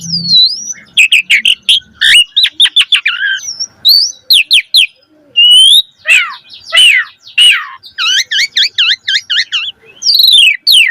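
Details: Prolific Javan pied starling song used to train young starlings: rapid runs of sharp whistled notes, looping slurred phrases and a repeated series of bouncing whistles near the end.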